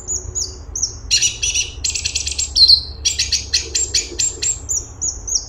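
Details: Grey-cheeked bulbul (cungkok) in rapid full song. Short high whistles lead into loud rattling buzzy trills, then sharp descending chirps, delivered almost without pause. A steady low background hum runs underneath.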